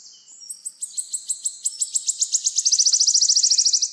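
A wood warbler sings a high series of ticking notes that speeds up and runs into a fast, shivering trill. No other sounds are heard.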